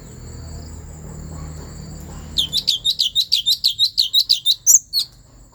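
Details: Central Highlands forest, Vietnam: Asian fairy-bluebird song that stirs up other birds, beginning with over two seconds of low rumbling noise, then a rapid, even series of about fourteen sharp, upslurred whistled notes.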